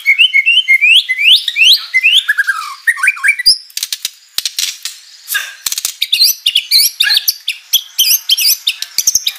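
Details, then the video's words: Energetic white-rumped shama song full of mimicked material: repeated rising whistles give way to dense chattering, clicking bursts and more high whistled phrases, nearly continuous throughout. "MURAI BATU GACOR full isian materi mewah"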